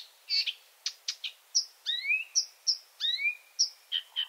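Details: Night song of a Marsh Warbler, a skilful mimic: sharp high chips and rasping notes mixed with long rising whistles, the phrases tumbling rapidly one after another over faint background hiss.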